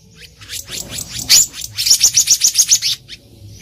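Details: Black-naped monarch calling in the wild, a lure recording for trapping: a harsh burst followed by a fast even series of about eight high, thin chipping notes, roughly four per second.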